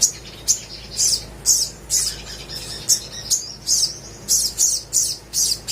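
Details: Singing crimson sunbird, a 'gacor' song meant to set silent birds singing: sharp, high, thin chirps repeated roughly twice a second in a steady series.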